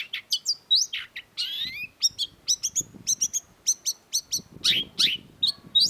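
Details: Long-tailed shrike (cendet) singing energetically. Rapid high chips and slurred whistles open into a buzzy sweep, then a steady run of paired short, piercing notes. Faint low rustling sits underneath.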